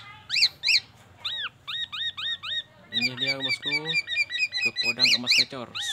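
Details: Black-naped oriole borrowing oriental magpie-robin phrases and ambulance siren sounds; spaced slurred whistles, then a busy stretch of rapid chips over lower nasal tones, ending in loud ringing notes.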